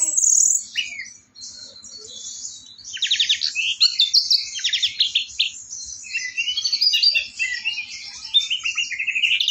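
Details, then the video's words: Orange-headed thrush in energetic 'teler' style song, recorded on a 4 August morning: a long, dense run of high chattering, rattling and whistled notes with scratchy trills, nearly continuous. "anis merah si dewa mabuk, super teleerrr"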